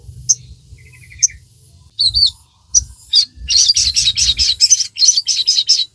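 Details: Sogon, a captive songbird, singing a lively song used to train and excite caged birds: scattered high chirps and a buzzy trill, then a run of fast repeated high notes about twice per second, with a low hum beneath.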